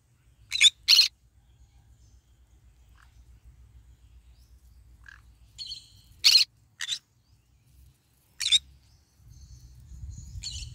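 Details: In the morning sun, a green-cheeked conure eats and basks, giving short bursts of scratchy screeches in pairs and singles with quiet pauses. Softer, thinner notes and low background rumble are also heard.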